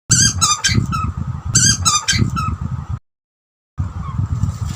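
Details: Two Australian butcherbirds, a young bird and an older one, chatter to each other during feeding time, with squeaky, harsh calls in quick bursts: two runs, then a short pause, over a steady low rumble.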